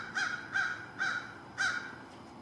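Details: An American crow at lunch gives a steady series of four brief rasping caws at roughly half-second intervals, each harsh and buzzy, with low ambient hiss behind.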